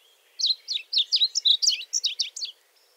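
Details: Varied bunting, a bird of arid lands that lurks in dense cover, singing a rapid warbled series of sweet, whistled slurred phrases, about a dozen notes over two seconds, with a faint steady whistle in the background.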